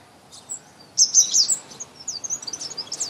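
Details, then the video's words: Thrush nightingale singing on a spring morning: after a quiet start, a sudden loud, rich warbled burst of high notes, followed by a rapid, softer chatter of quick chirps. "Singing nightingale"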